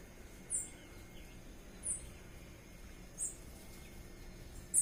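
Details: A ruby-crowned tanager at a bird feeder, after winning a banana, gives four sharp, very high chip notes, evenly spaced about every second and a half, over a steady low rumble of background noise.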